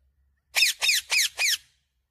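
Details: Talking parrot kept as a pet, said to speak "mummy papa"; four quick, even, shrill squeaks in a row, each sliding downward, then silence.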